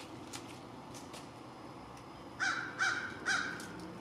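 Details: American crow at lunch. After a quiet stretch come three loud, harsh caws about half a second apart, with faint outdoor ambience.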